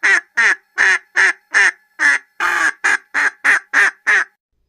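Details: A domestic duck gives a fast run of loud, harsh, nasal quacks, about three each second.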